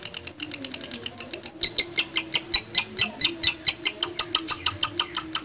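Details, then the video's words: Lovebird ngekek chatter, ngetik style: spaced sharp ticking notes that quicken into a loud, steady series of high, clipped chirps, with faint low background tones. "LOVE BIRD NGETIK NGEKEK DURASI PANJANG"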